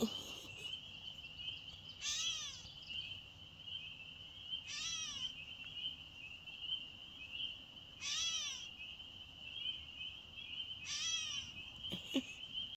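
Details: Catbird on May 1, 2024, meowing repeatedly in a cry like a baby's. It gives four nasal, slurred mews, one about every three seconds, against a constant shrill insect hum.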